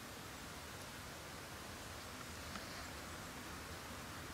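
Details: Steady broadband hiss like rain or rustling outdoors, with no clear animal sound.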